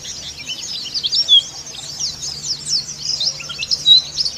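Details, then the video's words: Oriental white-eye of the dakun type from Kitamani in rough ngeriwik chatter, a therapy recording meant to stir singing: dense, very high twittering with sharp descending whistles, in rapid uneven bursts over a faint low hum. "PLECI DAKUN KITAMANI NGERIWIK KASAR"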